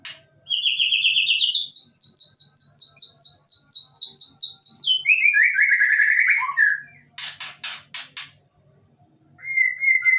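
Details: Caged white-rumped shama under a cage cover, singing back at nearby birds: a long series of rapid, rising, then falling whistled notes, then four harsh buzzy bursts and a final clear whistle.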